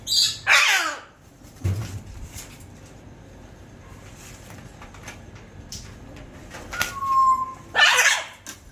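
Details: Scarlet macaw pair calling: two harsh, raspy squawks about seven seconds apart, the first falling in pitch. Between them come low rustles and knocks, and a short clear whistle just before the second squawk.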